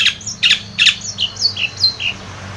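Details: Long-tailed shrike song played to coax a non-singing shrike: harsh clustered notes followed by a string of short descending whistled slurs, about three per second, over low hum.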